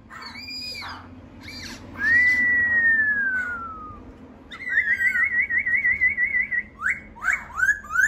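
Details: A laughingthrush gives a long, slowly falling pure whistle, then a fast warbling trill held at one pitch, ending in short, upslurred notes.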